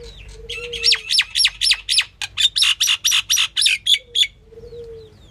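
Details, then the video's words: Female common myna, also called Indian myna, calling in a fast harsh series: a dozen loud downslurred chack notes, rapid and slightly uneven, then a pause with faint tones behind. "The common myna (Female) | Indian myna calling"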